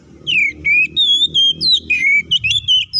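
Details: Kacer, or Oriental magpie-robin, in loud 'ngeplong' fighting song used to make other birds agitated: a string of about ten clear whistles, some falling and some level, with faint low rumble beneath.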